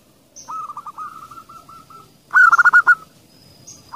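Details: Zebra dove, a female calling, answered by a male's call: a soft rolling series of short coos near one pitch, then a louder, faster burst of about eight rolled notes.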